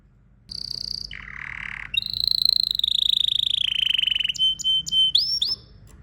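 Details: Domestic canary male singing: a high tone, a low buzzy note, then a long fast rolling trill gradually dropping in pitch, finishing with short spaced whistles.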